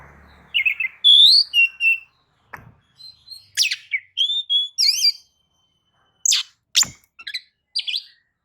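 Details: White-rumped shama song for luring other birds to sing, with clear whistled phrases, sharp sweeping notes and scattered clicks separated by short silences.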